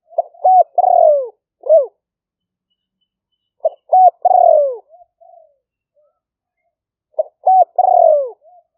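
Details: Spotted dove decoy call in the 'liu fueang' style, recorded live in rainy-season rice fields near Tao Lek, Roi Et, Thailand, by smartphone: three phrases about 3.5 seconds apart, each with short clipped notes then a long descending coo.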